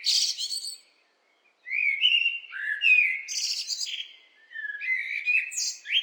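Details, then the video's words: Singing blackbird delivering rich, slurred whistles that rise and fall, broken by brief high chattering flourishes; two phrases separated by a short silence, clean background. "What do blackbirds sound like?"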